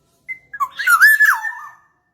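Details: Black-naped oriole song for luring: two brief thin notes, then a loud, liquid, swooping whistle that rises, holds and trails off.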